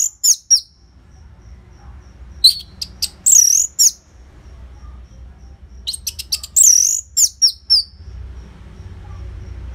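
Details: Orange-headed thrush loud song for prompting caged birds: clipped high chirps mixed with harsh, scratchy squeaky notes, delivered in short bursts with pauses between; faint hum underneath.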